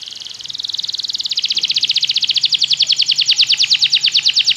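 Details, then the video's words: Belgian canary singing as a model for other canaries in training: one continuous, very fast rolled trill that grows steadily louder, shifting slightly higher partway through. "Canário belga seduz todos os canários para cantar - treinamento de canário"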